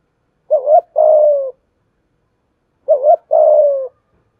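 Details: Spotted dove used as a lure bird to provoke and train other doves, giving a thổ-style coo: a short wavering two-note phrase then a long steady slightly falling coo, repeated twice about 2.4 seconds apart, clean background.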